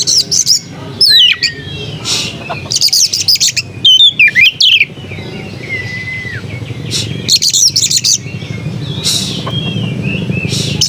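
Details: White-rumped shama song of chattering bursts and looping slurred whistles, with a low rumble in the background like passing traffic.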